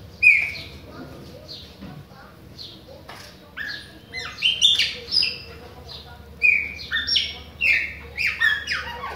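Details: Chopi blackbird from Bahia singing persistently: bursts of clear whistled notes, some rising and some falling sharply, grouped into rapid phrases with short pauses, set against a faint steady low hum.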